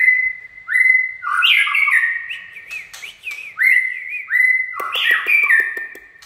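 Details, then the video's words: White-rumped shama singing a 'chạy cầu' song run: long steady whistles and rising slurred notes alternating with rapid tumbling, warbled phrases and sharp click-like ticks, repeated in two bursts. "Chích chòe lửa chạy cầu shama run"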